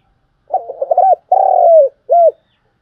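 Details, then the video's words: Spotted dove lure call used to attract doves for trapping: three low, hoarse coos, a broken first phrase, a long drawn-out second, and a short final note, in a quiet setting. "tiếng cu gáy mồi chuẩn gáy gọi dùng kích bổi tập mồi rất hiệu quả"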